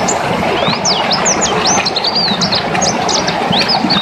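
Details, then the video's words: White-eye known as pleci dakun chattering energetically: fast strings of thin, high, swooping whistled notes, some rising and some dropping, delivered almost without pause above loud continuous rushing noise. "Peleci dakun gacor ngelas"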